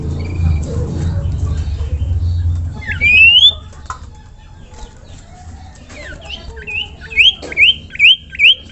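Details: Common iora lure call to start other ioras singing: after low rumbling, a single long rising whistle, then a closing series of five short rising whistled notes spaced about half a second apart.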